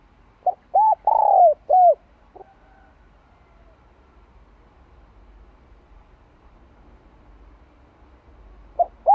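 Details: Cooing decoy spotted dove in "2 hậu lỡ" style used to train new wild birds: a quick phrase of three to four rounded coos with a longer middle note, a stray short note, long silence, then two coos at the end.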